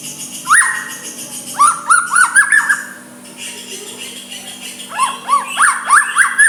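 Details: White-rumped shama giving soft song to provoke a rival: a quick upslurred note, then series of short rising chirps in clusters, separated by a quiet pause, over a low hum.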